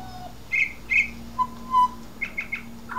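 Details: Australian pied butcherbird giving short, clear whistled notes, a few high and a few lower and mellow, then a quick run of three bright notes.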